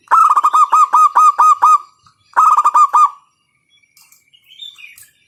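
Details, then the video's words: Loud local zebra dove, called to stimulate other doves to sing: a fast run of about nine staccato cooing notes, a brief pause, then a shorter run of about six, followed by faint twittering. "PANCINGAN PERKUTUT LOKAL SUARA KERAS, bikin pada manggung."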